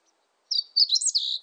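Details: Part of a Meadow bunting song. After a short pause comes a burst of rapid, high, jumbled chirps and brief trills lasting about one second, in a clean, quiet recording.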